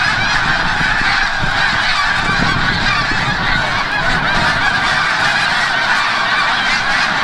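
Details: Snow geese returning from the bay at sunset, Forsythe National Wildlife Refuge, Oceanville, New Jersey; a massed, ceaseless honking chorus, reedy and nasal, that swells slightly midway, over a soft low background rumble.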